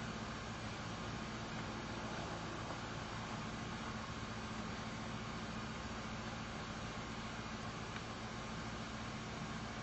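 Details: A quiet, steady hiss over an idling engine drone continues unchanged, with no animal calls.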